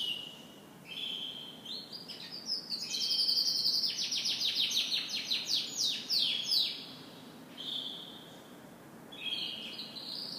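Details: Canary morning song: scattered short whistles, then a rapid burst of repeated sharp descending notes forming a fast rattling trill, easing back into softer intermittent high phrases.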